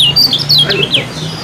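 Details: Kecial kuning, or yellow-bellied prinia, a contest bird, giving a brief flurry of thin, high, downslurred whistles and chips over a steady low hum.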